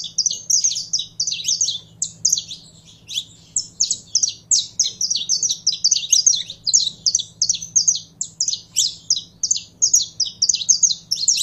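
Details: Continuous, fast chattering song from a kept saffron finch during warm-up handling. It is a long chain of bright, high chirps repeated several times a second with barely any break, over a quiet background hum.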